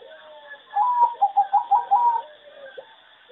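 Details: Farm-bred singing zebra dove kept for song competition, one of many from farms said to sing poorly with a bad melody: a rapid burst of about six clipped, staccato coos, one pitch level, lasting over a second. Soft cooing from other doves behind.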